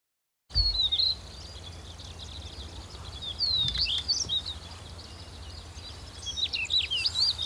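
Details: Wild stonechat calling in autumn, not singing, recorded at Wakka Natural Flower Garden: thin, high, short chipping and twittering notes scattered through the clip over a steady outdoor background hiss.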